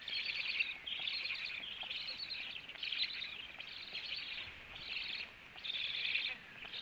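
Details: Black stork at the nest at 18:16 as the male came home, with feeding and a flight to the upper branch; harsh, hissing high-pitched bursts, each about half a second, repeated almost without pause over a faint noisy background.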